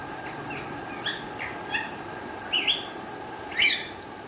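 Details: Pet Alexandrine parakeet, kept as a talking parrot with Urdu/Hindi words, uttering short, harsh, nasal calls at uneven intervals, about one per second, ending in a louder rasping squawk; low indoor hum throughout.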